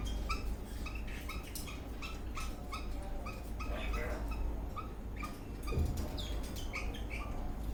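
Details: Eastern rosella dancing, whistling and chirping in a happy mood: run of short, bright chirping notes, several each second, over a steady low hum.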